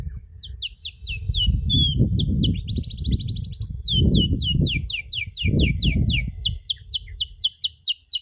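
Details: Canary chirps recorded for teaching other canaries: steady series of steep downward chirps and a buzzy trill over loud low rumbling background noise throughout.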